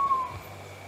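North Moluccan pitta giving a single brief, mellow whistle on a steady mid pitch that slides slightly lower, followed by quiet background.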